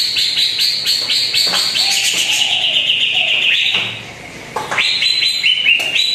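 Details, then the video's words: Lure song of a greater green leafbird, played to make a rarely singing bird sing. Loud, rapid strings of high chirps and rising whistles, a brief quieter pause, then sharp upswept notes returning. "PANCINGAN CUCAK IJO ANDA YANG JARANG BUNYI"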